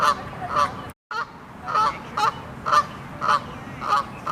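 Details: Loud honking of Canada geese signalling take-off; strong nasal honks in an uneven series, roughly two per second, broken by a short silent gap near the start.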